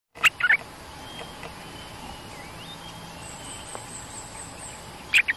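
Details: Cream-vented bulbul calls, heard while a territorial resident bird comes down to peck at the back of a trap cage. There are two short bursts of bubbly, chirping notes, one near the start and one at the end, over a quiet hissy background.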